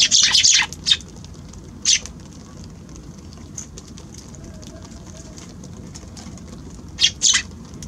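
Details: Eurasian tree sparrows at a balcony on January 6, giving a quick cluster of bright, scratchy chirps at the start, one lone chirp soon after, then a final pair after a quiet pause with low steady hum.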